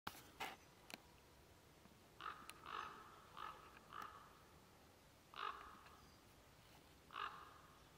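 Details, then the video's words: Common raven (Corvus corax) on 4 February 2024 at Ribniki in the Drava valley: six hoarse, throaty croaks spaced irregularly over several seconds, each short and harsh, with a couple of faint clicks early on. "Corvus corax KROKAR"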